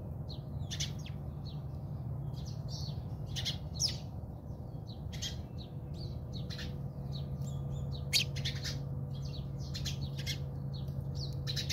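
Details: House sparrows fighting in a backyard in South Africa: a busy scatter of short, sharp chirps and squawks from several birds, tumbling irregularly over a steady low hum.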